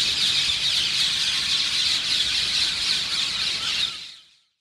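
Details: Early-morning roost of parakeets beside Ramsgate railway station, Isle of Thanet, where thousands live: a loud, continuous cacophony of high, harsh squawks from countless birds, cutting off abruptly near the end.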